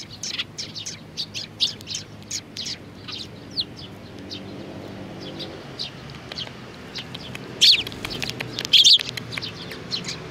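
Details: Sparrows with young birds among them, 27 June 2019: a rapid, busy stream of high chirps at first, thinning out, then two loud bursts of sharp, harsh chirping toward the end over a faint low hum.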